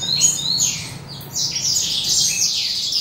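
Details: Several adult male Western Citrils sing in the morning sun as the breeding period approaches. Thin, high, sweeping twitters overlap continuously, with a steady low hum in the background.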